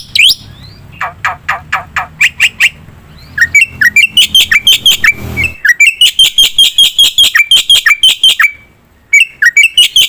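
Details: Black-winged myna in vigorous song, used as a lure to set other birds singing: harsh buzzy bursts, then a fast run of repeated sharp chattering notes with rising whistled accents, a brief pause near the end.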